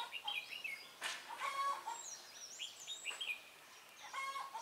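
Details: Red-whiskered bulbul used as a decoy during trapping on 23 March 2018, singing to fight. Quick, bright, warbled phrases with sliding whistles, broken by short pauses. Lower, harmonic clucking notes from other birds run underneath.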